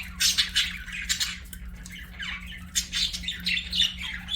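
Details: Pet budgerigars chirping and singing indoors, a quieter run of sharp squeaks, short warbled phrases and a few descending chirps, with gaps between bursts and a low steady hum behind.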